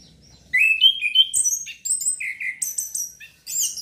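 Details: Song of a caged orange-headed thrush used to trigger breeding urge: after half a second of quiet, loud clear whistles rise and fall, then sharp high chattering notes in rapid succession.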